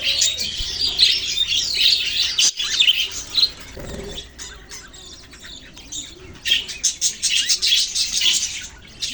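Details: Budgerigars, Australian parrots, in a busy flock chorus of high, dense chattering chirps and warbles, with a brief lull near the middle before the chatter swells again.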